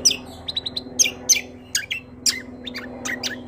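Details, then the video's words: A vigorous greater green leafbird gives a quick jumble of high, sharp chirps and slurred whistles in rapid bursts. A constant low hum sits beneath. "CUCAK KOMBO KECIAL KOMBO ROLL PANJANG GACORR"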